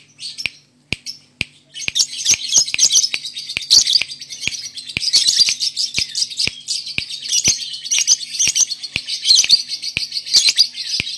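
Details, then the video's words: Caged male lovebird from Indonesia singing a long, busy stream of shrill, rapid chirps and twitters, which grows denser after two seconds. Regular sharp clicks run through the song. "Settingan player Burung Lovebirds jantan"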